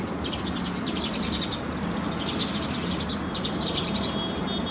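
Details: Sparrows on a terrace garden on a rainy day, giving bursts of high, rapid chirps in clusters, with steady rain hiss underneath.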